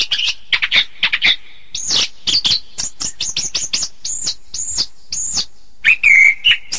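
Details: Orange-headed thrush song for masteran: quick chips, then a series of arched, whistled notes repeated about every half second, closing with a descending slurred whistle.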